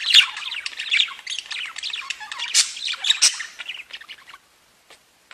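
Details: Pet budgerigars warble busily with quick chirps and sharp squeaks for about four seconds, then the chatter thins to a few faint notes before near silence.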